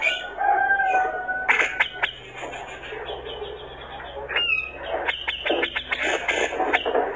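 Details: Male grey-cheeked bulbul in full song, meant to provoke rival birds, giving clear whistled notes near the start, then sharp clicks and rising, repeated chirps, over a steady hiss.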